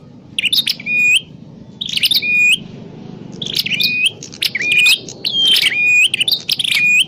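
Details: Lure calls of a prinia for trapping: about seven bursts of sharp chirps, each ending in a short upturned whistle, growing more frequent toward the end.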